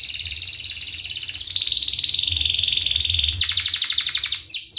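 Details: Canary song used as a lure recording to teach young canaries to sing: a tight, continuous high rolling trill of rapid buzzy pulses, shifting pitch slightly partway through, ending with a few quick downswept notes.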